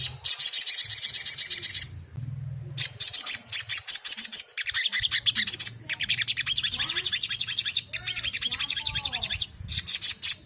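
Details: Caged sogon song used as a lure to make another bird sing: long bursts of rapid, high, buzzy chattering notes, broken by brief gaps, with a low hum underneath.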